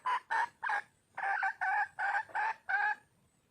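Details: Hen red junglefowl in the wild, calling for a mate: eight loud, rough clucking notes in two bursts, three quick notes, a brief pause, then five more, ending in quiet.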